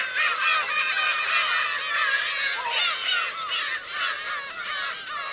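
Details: Black-tailed gull parents and chicks on the Kurosaki coast, Teuri Island, Hokkaido, Japan, 17 June 2021. The gulls give a rapid jumble of harsh, mewing cries from many birds, and the calling stays loud throughout.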